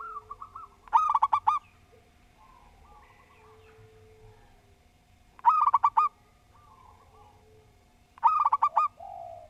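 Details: Three clear structured phrases from a local zebra dove, each a fast run of ringing coos, spaced roughly four seconds apart; softer cooing from other doves and a low hum fill the gaps.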